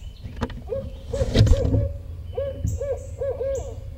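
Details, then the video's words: Male Barred Owl near its nest in Eastern Massachusetts on a near-freezing late afternoon; two runs of short arched hoots, the first partly masked by a clatter and low rumble, the second clearer with three or four hoots, plus faint high chirps. "Just a few hoots from Ward and the egg was left alone in near freezing weather."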